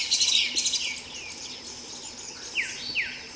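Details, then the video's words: Streaked flycatcher with a short burst of shrill, squeaky notes followed by two sharp descending squeaks, over a high buzzing background. "Myiodynastes maculatus (Bem-te-vi-rajado) - Streaked Flycatcher"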